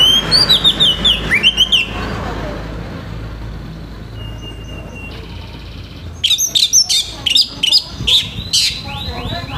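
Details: Morning song of an orange-headed thrush, harsh in tone to stimulate young birds: a phrase of sliding whistles, a pause with a faint steady tone, then a run of sharp high repeated notes roughly twice a second.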